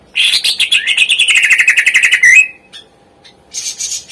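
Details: Greater green leafbird song meant to stir lazy birds into singing, delivered as a long, fast run of loud, rolling, slurred notes that slowly falls in pitch over two seconds, followed by silence and a softer high chatter.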